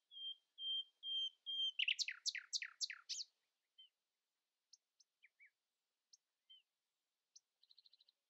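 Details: A common nightingale sings at dawn, outvoicing rivals: four long, even whistled notes on one pitch swell into a loud rapid volley of slurred strokes, followed by sparse high ticks and a quick fine trill.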